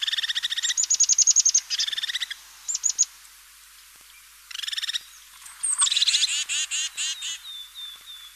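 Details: European crested tit song: short bursts of rapid, rattling trilled notes with rich buzzy overtones, given in quick series separated by brief pauses, then a thin, high, drawn-out whistle near the end; no other sounds.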